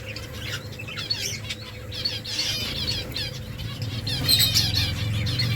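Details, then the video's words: A colony of finches building nests keeps up continuous overlapping high chirps, many birds at once, growing busier toward the end, with a low hum and rustling underneath. "Finches making nest Finches chirping sounds beautiful finches colony"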